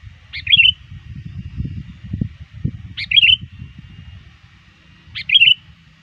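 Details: Near dusk, a trained sooty-headed bulbul used as a lure calls to rivals: three clear bubbly, rolling phrases about two seconds apart over faint low background rumble.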